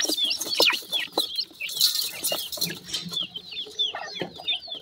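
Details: Several young black partridge chicks calling together: rapid, thin, downward-curving peeps repeated many times a second, some louder sharp chirps, over faint rustling.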